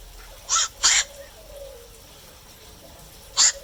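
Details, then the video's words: Night heron calling at night: three short, harsh, loud squawks, two close together near the start and one more about three seconds later, over quiet background hiss. "เสียงนกแขวก นกแขวก (กลางคืน)"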